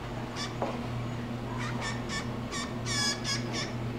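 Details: A male Blue Jay, seemingly talking to the camera, gives a series of short, harsh, nasal calls, about eight in four seconds, over a steady low electrical hum.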